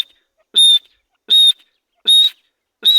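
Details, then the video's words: Grey francolin giving loud, piercing whistled notes at a steady high pitch, four calls spaced roughly three quarters of a second apart with silence between. "dhakni teetar ki masti wali awaz /teetar ka sound/teetar awaz"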